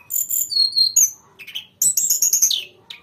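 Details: Grey-cheeked bulbul singing actively in a long rolling song: high, sharp chirps and twittering bursts with short whistled notes, broken by brief pauses and a final isolated chirp.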